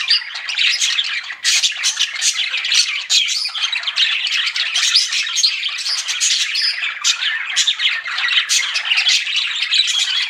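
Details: Pet budgerigars warble steadily for several seconds, a thick mesh of high twitters, clicks and harsh squawk notes at an even level throughout.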